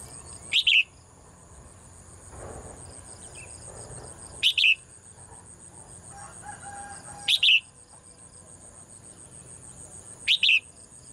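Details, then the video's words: A caged female bird singing in the morning gives sharp, high chirps in short bursts about every three seconds, over a steady high electrical whine and faint background noise. "เสียงนกร้องเจี๊ยก ๆ ไพเราะมาก"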